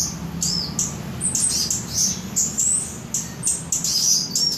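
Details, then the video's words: High-pitched twittering from a cabai gunung flowerpecker in Samarinda, Indonesia, made of thin chips and rising whistled slurs in quick succession, growing busier toward the end. "Cabai gunung / toli-toli"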